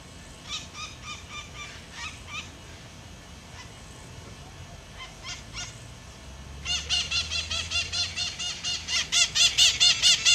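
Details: White-eyed parakeets (Aratinga leucophthalma) in the Cerradinho of São José dos Campos, São Paulo, Brazil, give harsh, grating screeches, about two per second, in short runs that grow into a loud, steady series near the end.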